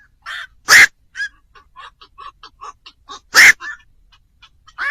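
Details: Black-crowned night heron calls for night-time bird trapping: two loud, harsh squawks about two and a half seconds apart, with soft clucking notes scattered between them.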